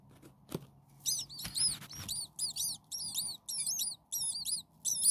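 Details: Hungry starling nestlings, six a few days old, in a frenzy of begging: after a few knocks, dense, continuous streams of high overlapping arched chirps from several chicks at once.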